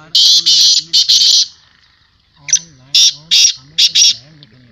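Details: At a 2022 calling tournament, a black francolin gives two clusters of loud, scratchy, grating notes separated by a short pause, while a man's voice continues quietly behind the calls.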